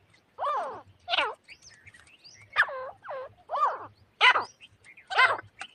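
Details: Grey francolin calls played as a hunter's lure: a steady series of looping, harsh notes about once a second, some in close pairs, with a low hum throughout.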